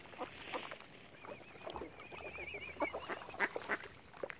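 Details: Ducks on Lough Neagh at Oxford Island, Ireland, mingling with a swan family, utter scattered soft quacks that turn louder and sharper near the end. A rippling whistle runs underneath.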